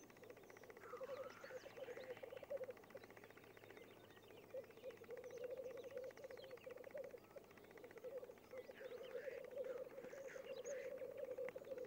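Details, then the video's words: Black grouse lek with several males bubbling in a low rolling chorus, rising and falling in waves, with occasional sneezing hisses and scattered higher birdsong over a faint steady hum. "Тетеревиный ток"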